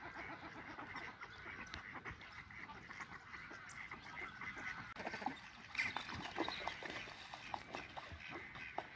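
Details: Courtship-displaying Chilean flamingo flock at WWT Slimbridge in March 2020 gives a steady clamour of goose-like honks and grunts from many birds at once, with a few louder, sharper calls standing out near the end.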